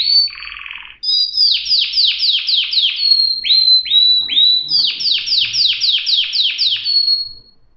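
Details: Canary song: a short buzzy burst, then rapid repeated downslurred trill notes, long whistled notes and slower swooping notes, ending in another fast run of bright notes.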